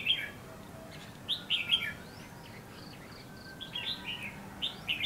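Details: Red-whiskered bulbul singing among bushes at Lương Sơn during trapping: short, bright, slurred warbling phrases every second or so, loudest at the start and end, over quiet hiss.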